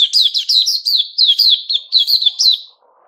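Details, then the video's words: White-crowned shama, a caged bird in its new-feathers season, gives a rapid run of short, bright whistled and chirping notes of high pitch, about a dozen phrases over nearly three seconds, then stops; a faint low rustle follows. "Puteh Raja season new feathers"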